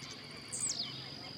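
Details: Blue-black grassquit in the wild, singing and hopping: a single sharp, buzzy downslurred note falling from very high pitch, over a constant high-pitched insect whine.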